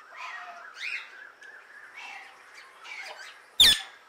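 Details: Indian ringneck parrot outdoors calling to other birds, a run of harsh squawks and chirps, then one loud sharp shriek near the end.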